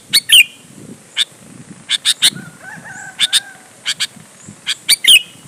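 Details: Sooty-headed bulbul singing to provoke other bulbuls to respond: sharp paired chips and squeaky slurred notes at start and end, with a faint soft whistle in the middle.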